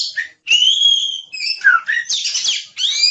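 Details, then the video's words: Oriental magpie-robin in energetic 'gacor' song, a tutor recording for songbirds: a long, bright whistled note, a descending slur, then harsh, scratchy bursts and a rising whistled phrase. "Suara Burung Kacer | Gacor"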